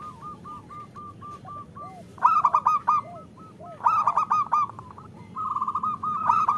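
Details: Female zebra dove of a local strain calling males, played to lure them into singing: a steady series of short notes broken by two loud, harsh, rapid bursts and a final fast trill.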